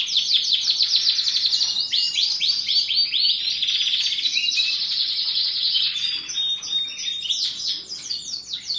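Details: Canary in full song: rapid high trills and repeated buzzy notes run together in a dense, unbroken warble that rises and falls slightly in pitch.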